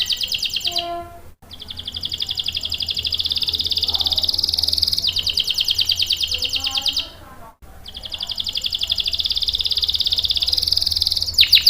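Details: Canary song used to lure and train young or stalled canaries; long rapid rolling trills repeated with short pauses, with faint lower chirps between phrases.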